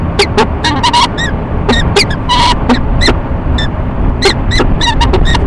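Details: Courting peregrine falcons at their nest box in Rochester, New York, morning of 19 March 2011; scattered loud rasping chup notes and short whines, spaced irregularly, over heavy low-frequency traffic-like rumble.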